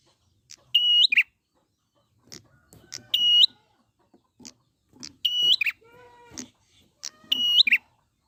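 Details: Wild prinia, recorded as a lure to get birds singing: crisp clicking notes mixed with loud, steady, high whistled phrases ending in a rasp, repeated roughly every two seconds, with softer lower chattering between.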